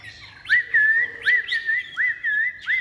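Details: Kept Chinese hwamei repeating a clear, mellow whistled phrase: a quick upward slur, then a level or gently falling note. It comes about five times in under three seconds, with short gaps between.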